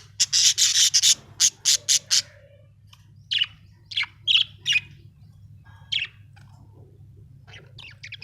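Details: Happy pet budgerigar chirping: a rapid run of loud, bright, buzzy chirps at the start, then scattered sharp single chirps and short warbles, with a low steady hum behind.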